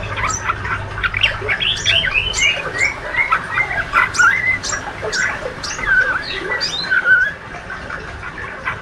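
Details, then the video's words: Young speckled male white-rumped shama, described as healthy and a fighter, diligently giving ngriwik twittering: a busy stream of short chirps, slurred notes and quick rising squeaks, with a steady low hum beneath. "Murai trotol jantan rajin bunyi ngriwik"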